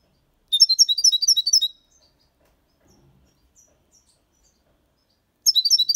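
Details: Six-month-old European goldfinch singing the Malaga copy style cleanly: a fast burst of high, tinkling twitters for about a second, silence, then another burst begins.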